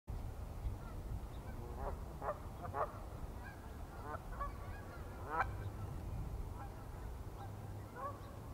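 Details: A swimming Pied-billed Grebe gives hollow, nasal, honking notes, single or in short pairs, spaced irregularly over a steady low rumble of wind or water.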